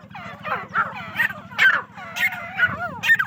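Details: Farmed female grey francolins in Pakistan, their chattering, wavering calls arriving in uneven clusters about every half second, some notes sliding downward, set over a constant low droning hum.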